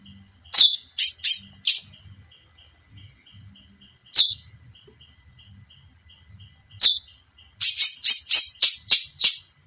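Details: Female chestnut-bellied seed finch mixing sharp falling chips with quick bursts of rasping notes, ending in a rapid series of about seven harsh buzzy notes, with a faint continuous high hum.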